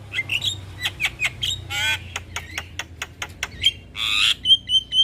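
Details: Javan myna in full morning song, for tutoring and luring: dry clicking notes at an uneven pace, broken by two rasping buzzy bursts and short high whistles, ending with a clear level whistle repeated several times.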